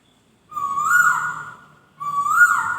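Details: White-crested laughingthrush (poksay) singing melodiously: two loud whistled phrases, each starting steady then rising and sliding slightly, separated by a short pause, over a quiet background.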